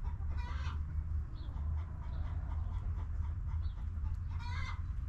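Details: Backyard chickens in a coop: a harmonic cluck near half a second and another near four and a half seconds, soft chatter between, over constant low-pitched background hum.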